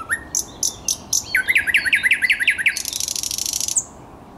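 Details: Thrush nightingale song recorded 10 May 2021: a short rising whistle, sharp clicks, a fast series of upswept notes, then a dense buzzing rattle ending abruptly.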